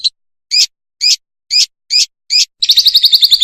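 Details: Fischer's lovebird song for young birds to learn from: six sharp, high chirps about half a second apart, then a quick, rattling trill.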